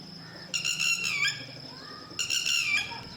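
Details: Two shrill, ringing bursts from a lapwing, one of a parent pair that guards its chicks. Each burst is a quick string of piercing notes that drop slightly in pitch, about one and a half seconds apart, over a quiet low hum.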